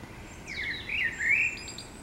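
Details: Common blackbird singing in the morning in the city, one short fluty warbled phrase that drops and rises, ending in a few thin, high squeaky notes, over faint background hum.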